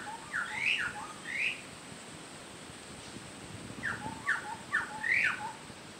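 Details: A wild Chestnut-backed scimitar babbler (Pomatorhinus montanus) gives loud, short, fluty whistles that swoop up and down, in two bursts of four or five notes, over a steady high insect hiss.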